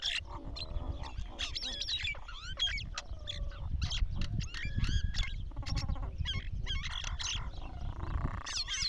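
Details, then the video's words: Mynas calling together in a dense, busy chorus of harsh chattering notes, clicks and bent whistles, with overlapping phrases throughout and a low rumbling background. "Beautiful sound of Mynas."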